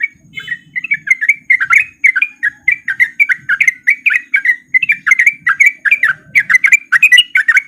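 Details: Sooty-headed bulbul male song used as a lure to get lazy bulbuls singing: a fast, continuous run of bright chirped notes around the upper-middle range, each note a short slurred whistle, repeated several times a second throughout with no pauses.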